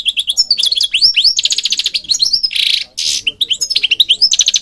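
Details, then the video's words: European goldfinch in continuous rapid song: liquid twittering notes and rising slurred whistles repeated several times a second, broken by two harsh buzzy bursts in the middle, then more fast tinkling phrases. "Singing Goldfinch King goldfinch singing"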